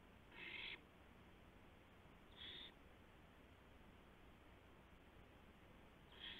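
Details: Owl bringing a gopher to its mate at 2:51 AM on April 2, 2016, on a live camera: three harsh hissing screeches about two seconds apart, the first the longest, over low steady noise.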